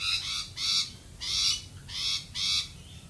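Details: Australian galah giving loud, harsh, rasping screeches, five drawn-out broad shrieks spaced about every half second, each carrying layered tones, over a quiet background.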